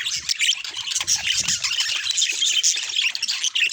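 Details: Budgerigars in a short natural recording, many voices chattering at once in quick, bright chirps, whistles and squawks, with a soft low bump early on.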